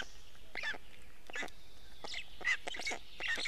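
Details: Estonian Black stork nestlings begging while the male parent brings fish, early morning of 29 May 2018; scattered harsh, wheezy squawks about once a second, faint birdsong behind.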